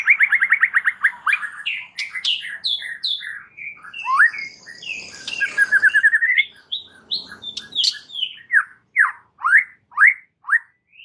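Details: White-rumped shama in full song, meant to provoke rival males into a fighting mood: rapid rising whistled trills, varied buzzy and chattering phrases, then a run of loud separate upslurred whistles repeated about every half second.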